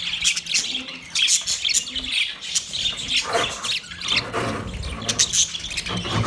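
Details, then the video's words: Budgerigar calling to another budgie, rapid chirps and squeaky warbles with a few harsher, lower squawks in the middle and sharp high tweets near the end. "Budgie sound when call other Budgie"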